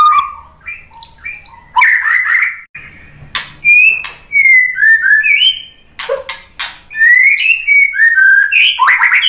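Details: White-rumped shama song to stimulate other shamas: varied loud phrases mixing high thin whistles, sliding whistled notes and sharp clicks, delivered in quick bursts with short gaps.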